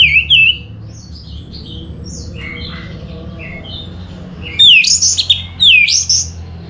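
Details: Orange-headed thrush lure song: two quick downslurred whistles open, then quiet softer notes, then a burst of loud, high, sweeping whistled phrases late on, with a low background hum throughout.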